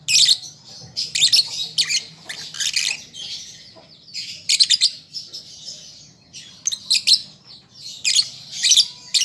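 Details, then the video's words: Lovebird youngster in song practice: clusters of piercing chirps every one to two seconds, joined by a continuous buzzy high twitter between the louder bursts. "Pancingan Lovebird Paud Belajar Bunyi Ampuh Langsung Nyaut"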